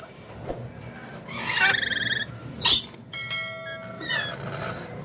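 A lorikeet gives harsh, buzzy screeches, a long grating burst followed by a sharp squawk and a few thinner chattering notes.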